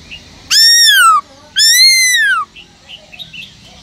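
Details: Caged Black-throated laughingthrush singing forest-style to rouse other laughingthrushes: two long, powerful whistled notes arching and falling, then faint chirps in the background.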